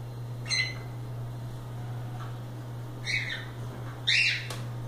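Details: Loose cockatiels playing indoors give a few short harmonic chirps, two louder calls near the end, over a steady low hum.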